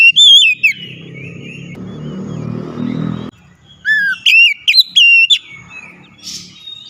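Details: Oriental magpie-robin loud lure song to set a silent bird singing: a warbled whistled phrase, a passing engine-like rumble, then a rising sweep and a string of sharp whistled notes, with a brief hiss at the end.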